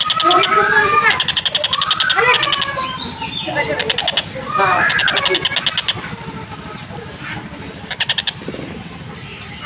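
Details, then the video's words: Oriental dollarbird with a rough voice at slow speed, used as a vocal tutor for other songbirds: harsh, grating chatters in fast bursts, some phrases sliding downward, repeated with short pauses over a low steady hum. "TENGKEK BUTO GACOR SUARA KASAR, SPEED LAMBAT"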